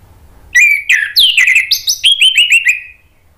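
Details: Orange-headed thrush gives rich, varied phrases of clear whistles and sharp slurred notes ending in a quick descending run, a recording meant to prompt other thrushes to answer.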